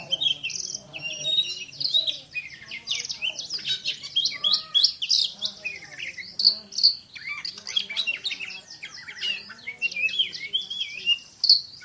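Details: Oriental magpie-robin (kacer) in continuous dense song: an energetic jumble of high whistles, trills, sharp clicks and slurred notes, packed tightly with hardly any gaps.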